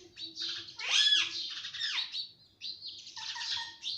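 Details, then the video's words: A pet parrot known for talking, including papa and mummy, produces two loud, hoarse squawking phrases with a rising whistled tone inside, separated by a brief gap. "ye mittu sab bolta he - parrot talking everything - talking parrot"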